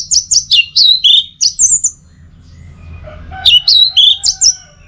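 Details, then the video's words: Orange-headed thrush singing, used to train and prompt the teler style. Fast runs of high, downward-slurred whistles come in quick series, with a short lull and soft lower notes before another burst of slurred whistles. "Masteran sekaligus Pancingan Burung ANIS MERAH Agar Selalu Bisa Menikmati Telernya setiap saat"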